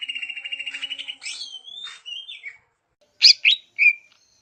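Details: Greater green leafbird song in a natural setting: a fast pulsed trill, then varied whistled slurs and squeaky notes, a short silence, and three loud sharp high chips near the end.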